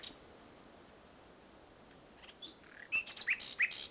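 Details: Nightingale heard at Salthouse, Norfolk, 1 May 2011, at the close of a bird race day. A long quiet stretch ends with a brief burst of sharp, varied whistled and chirping notes.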